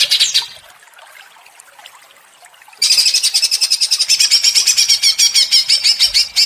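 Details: Provoked greater green leafbird: a brief note, a quiet gap of over two seconds, then a long burst of rapid, shrill repeated notes in the ngentrok style, pulsing about six times a second.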